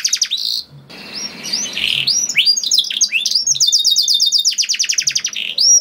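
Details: Canary song used to get other canaries singing: an opening trill, a harsh rasping passage, then mixed slurred whistles running into a fast, evenly repeated high trill and a closing upward note.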